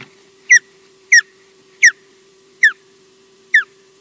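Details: A female osprey on her nest at Loch Garten, Scotland, not yet gone fishing early, gives five clear whistled notes, each sliding downward, about every three-quarters of a second over a steady low electrical hum.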